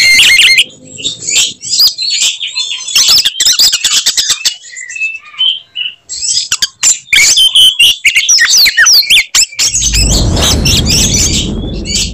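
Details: Oriental magpie-robin in fighting mode, its signature 'tembakan' phrases meant to enrage rival males: dense, rapid bursts of high whistles, sharp sweeps and clicks, a brief pause near the middle, then a rush of broadband noise at the end.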